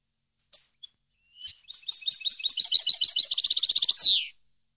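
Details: European goldfinch, song used to train captive birds: two isolated chirps, then a long twittering phrase that speeds into a dense, ringing trill and finishes with a harsh, falling buzz.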